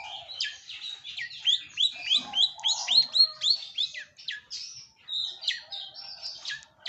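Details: Long-tailed shrike singing for a keepers' lure recording: a run of sharp upslurred chips given about three per second, then scratchier varied notes and thin whistles toward the end.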